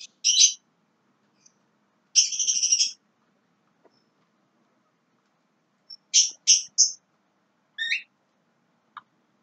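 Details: Young Javan myna: a harsh note, a buzzy rattle under a second long, then a pair of chattering notes and a lower rising whistle, separated by silences.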